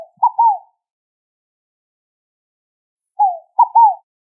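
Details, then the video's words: Rolinha fogo-apagou song, the scaled dove's three-beat coo, heard twice: a falling first note then two quick, mid-pitched hoots, separated by a three-second pause in quiet. "O Canto da Rolinha Fogo Apagou!"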